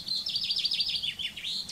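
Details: Common Chaffinch (male, in a garden in spring; sings repeatedly all spring) sings a quick, bright series of about eight high, chipping notes stepping down in pitch, with faint background hiss.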